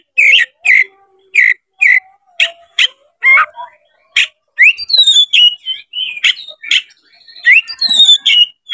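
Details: Oriental magpie-robin, tail opened, in full challenging song meant to draw out an opponent. A steady series of loud, clipped whistles repeated about twice a second leads into rich rising and falling whistled phrases, busy and varied.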